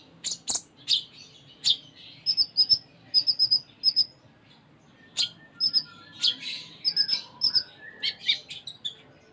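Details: Energetic full isian song of a Sunda minivet (konin): sharp clicks and high chirps with repeated pairs of thin whistled notes, varied phrases spaced by short pauses, over faint background hum.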